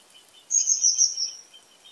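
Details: Common kingfisher giving a shrill, high whistled call of about a second, a quick trembling series of piercing notes that runs together and then fades, with faint soft chirps lower down in the background.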